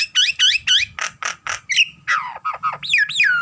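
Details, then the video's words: Nias hill myna singing energetically: a rapid series of looping whistled notes, then broad harsh squawks, followed by sliding downward whistles and nasal, bending calls, all loud and close with faint low rumble beneath. "Burung jalak terlalu gacor"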